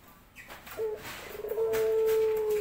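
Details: Male pelung dove calling to attract a female. A short coo is followed by one long, even, sustained tone that drops slightly as it ends. Faint room noise underneath.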